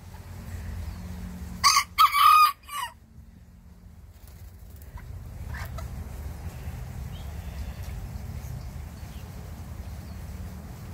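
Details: Small bantam rooster answering a larger rooster nearby with a single high, raspy three-part crow, loud and brief, followed by several seconds of low background noise and a faint knock.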